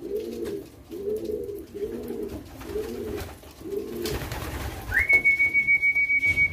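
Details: Hand-fed young homing pigeons, kept indoors and being accustomed to a whistle, give five low, rounded, arching calls about one per second, followed by a long steady pulsing human whistle.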